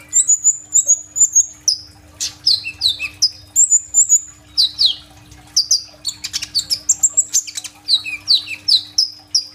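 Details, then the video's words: Energetic sunbird (kolibri ninja) song packed with varied 'isian' imitations and rapid bursts, recorded on an Oppo A37f: a string of high whistled notes, sharp downward slurs, and dense clusters of chips over nearly ten seconds. "BURUNG KOLIBRI NINJA GACOR FULL TEMBAKAN ISIAN ROLL TEMBAK"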